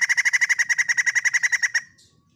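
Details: Rapid rattling series from a white-crested laughingthrush: about eighteen loud, evenly spaced, slightly nasal notes in under two seconds, then silence.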